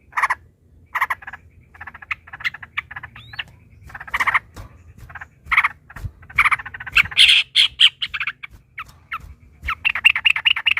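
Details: Yellow-vented bulbul in combative mood delivering scattered short bubbly notes that speed into dense chattering runs, with a brief rising whistle early on.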